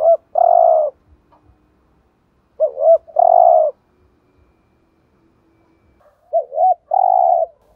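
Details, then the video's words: Spotted dove used as a decoy, giving thúc gù coos meant to stir up rival males; three separated phrases about three seconds apart, each two brief notes then a sustained mellow coo, with silence between. "chim cu gáy thúc gù BÀi BẢn/ tiếng chim cu gáy kích bổi và mồi rất xiêng gáy"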